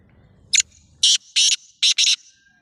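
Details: Black francolin, known locally as kala tetar, calling loudly and close: a sharp first note followed by four harsh, buzzy, rasping notes in a grating rhythm, over faint low rumble.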